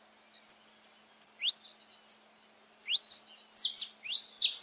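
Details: Saffron finch song meant to stir pet birds: a few isolated thin chirps, then a closing burst of loud, buzzy, descending notes repeated quickly.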